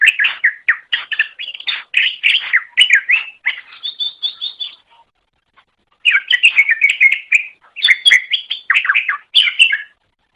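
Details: Green leafbird (cucak ijo) chattering song used to train birds: jumbled fast whistles and twitters pouring out for several seconds, a pause, then another energetic varied outburst.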